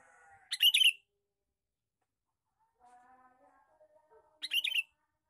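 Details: :Male sooty-headed bulbul lure call: two short, harsh, scratchy chattering bursts about four seconds apart, with faint softer bird notes in between.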